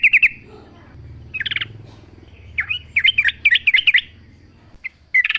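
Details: Sooty-headed bulbul sings a quick run of slurred, bouncing whistled notes and short chatter, with a steady low hum in the background.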